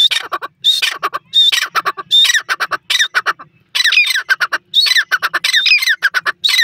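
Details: Harsh, scratchy calling of a black francolin: repeated phrases of a grating opening note trailed by rapid clipped notes, with a brief pause midway before the series resumes.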